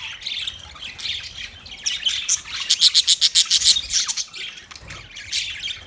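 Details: Budgerigars in a cage chatter with squeaky warbles, then one bird gives a fast run of about ten sharp clicking chirps before the flock's babble resumes.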